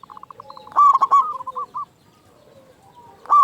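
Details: Local Zebra Dove, a vigorous caller with a big voice, used as a lure to prompt caged doves to call: a loud, rough staccato burst of cooing notes runs into a softer rolling trill, then another loud burst begins. Quieter coos sound behind.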